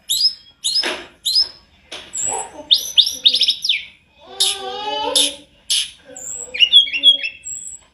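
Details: Sunda robin in full varied song: sharp high bursts, a quick descending trill, warbled phrases with low fluty undertones, and tinkling high notes near the end.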